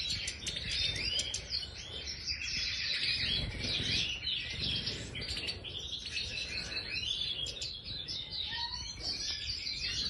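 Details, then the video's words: Goldfinch of the Major form singing in an aviary, a long, lively stream of sharp chirps, rattling trills and twanging slurred notes with little pause. "Stieglitz Major Voliere طائر الحسون الرائد"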